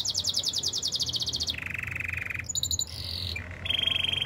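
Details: Canary delivering a fast high trill that drops into a lower rolling buzzy tour, then brief clipped notes and a resumed steady trill; soft background hum.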